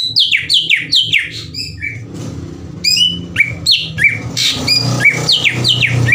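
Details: Provoking lure song of a greater green leafbird: fast falling whistled notes in quick series, then rising and dropping slurs, over constant low rumbling background noise.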